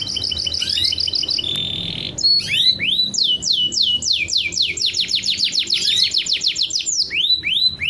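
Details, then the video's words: Canary song intended to hasten pairing and breeding: a buzzy trill and a short steady tone, then a long sequence of rapid descending whistled notes, closing with upward sweeps. "Kicauan Kenari Untuk Memancing Penjodohan Agar Cepat Kawin&Bertelur!"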